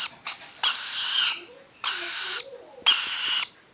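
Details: Rainbow lorikeet chicks, about seven weeks old and enjoying a scratch, give rough, buzzing screeches: a short opener, then three longer grating bursts with brief pauses between.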